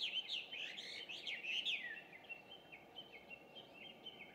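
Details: Introduced Chinese hwamei in dawn song around 5:30 a.m., June 2, 2019: a loud tumble of fast, slurred whistles for two seconds, then softer, spaced whistled notes repeated steadily.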